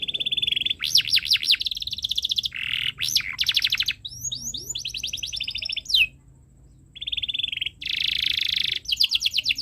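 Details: A canary sings in long chirping phrases as a teaching recording for young birds: buzzy rattles, looping whistles, swift trills and a sharp upward sweep, with a quiet pause midway.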